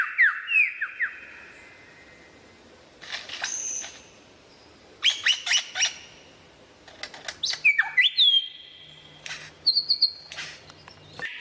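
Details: Lyrebird's varied mimicry: quick falling whistles, then scattered sharp clicks and harsh crackling bursts, and later a drawn-out whistle with bright high notes, with short pauses between phrases.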